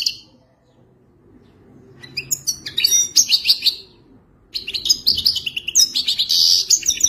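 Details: European goldfinch singing in the authentic Wadani style, sung for mating: bursts of bright, scratchy twittering with rapid trills and tinkling notes, a pause, then a louder buzzy run, over a faint low hum.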